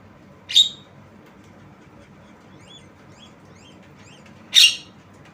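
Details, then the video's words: Javan myna uttering two loud, harsh, buzzy squawks about four seconds apart, with soft faint whistled notes between them. "Jalak kebo Suara Unik"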